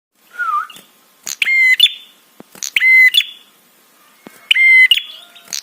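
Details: Prinia 'trapi' call, played to make other birds answer and to rouse them. Harsh, buzzy, rasping notes of about half a second, each with a steady nasal tone. They come in short pairs about every one and a half seconds, with a soft slurred whistle at the start.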